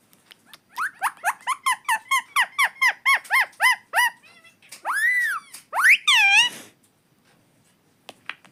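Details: Pet parrot talking nonstop: a fast, regular series of about twelve short rising-falling syllables, then a long arched whistle-like phrase and a final descending harmonic call, followed by quiet.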